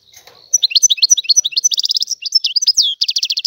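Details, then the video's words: Song of a wild European goldfinch called Algerian goldfinch: a quick string of high, clipped, twisting notes, then fast buzzy trills and more bright chirps, delivered without a break. "تغريد طائر الحسون الحر"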